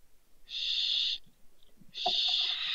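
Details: Two young barn owls (Tyto alba) that fell from a balcony, Riet Vell reserve, Ebro Delta, Spain, 27 December 2023, give two long, harsh, breathy hisses, each under a second, about a second apart; faint low knocks under the second.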